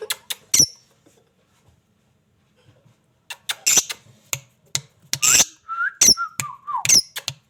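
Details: Lovebird calling: sharp, shrill squawks in quick irregular bursts, a quiet gap of about two seconds, then denser squeaks with a few short wavering whistled notes near the end.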